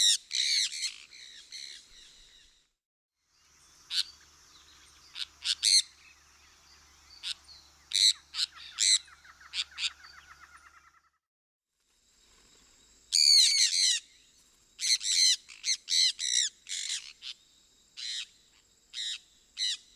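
A sun parakeet gives loud, harsh, high-pitched screeches in rapid bursts with brief pauses.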